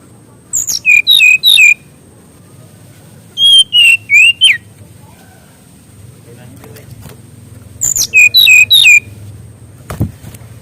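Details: Mangrove whistler (kancilan bakau), played as a master song for training young wild birds at home: three bursts of four or five loud, clear whistled notes, each sliding downward, separated by pauses, over a low steady hum.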